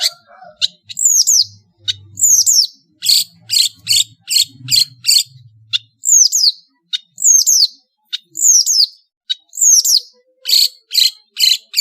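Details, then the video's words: Long-tailed shrike from Madura in master song: sharp high downward-slurred whistles alternating with harsh buzzy rasps, repeated in quick phrases about once a second. "SUARA burung CENDET GACOR master full variasi | ASLI cendet MADURA GACOR DOR"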